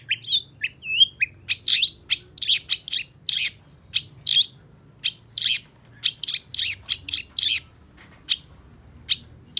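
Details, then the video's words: Long-tailed shrike, called cendet, opening with a couple of whistled slurs and then repeating short, harsh, buzzy chirps in irregular clusters, gradually spacing out toward the end. "Suara Cendet Pentet Gacor DOR"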